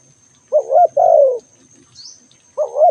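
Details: Spotted dove calling: a loud, low, hollow coo phrase, a short note followed by a longer drawn-out falling coo, then the phrase starting again, with a thin steady high whine in the background.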